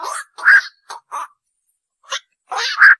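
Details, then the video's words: Black-crowned night heron uttering rough, nasal croaks in short bursts, a few quick calls, then a pause, then a louder pair of hoarse notes at the end. "tiếng vạc"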